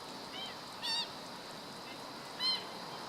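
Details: Black-winged stilt (Himantopus himantopus), recorded 17 August 2013, gives nasal, yelping calls: two loud ones about one and a half seconds apart, with fainter answering notes between, over a steady high hiss.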